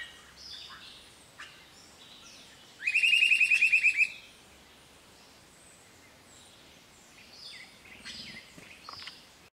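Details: Grey-hooded attila recorded at Projeto Dacnis in Ubatuba, São Paulo, Brazil, on 16 September 2016. It gives a quick run of roughly eight sharp whistled notes over about a second, amid quiet forest with distant bird calls.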